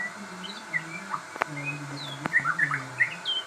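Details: Crossbred shama delivering quick, sharp whistled notes and rising slurs, broken by two sharp clicks, with a low humming drone in the background.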